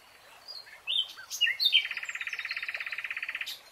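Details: A nightingale singing in a lush green forest gives a few rich, varied whistled notes, then a fast, even rattle of about fifteen notes a second lasting nearly two seconds.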